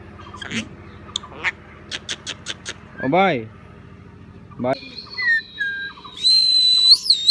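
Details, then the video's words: A talking common myna imitates human speech, apparently "bye", with a pair of voice-like, wavering syllables, then clear high rising, warbling whistles, mixed with sharp clicks and a person talking to it. "শালিক পাখি অভিকল মানুষের মত কথা বলতে পারে ।mynah bird speaks"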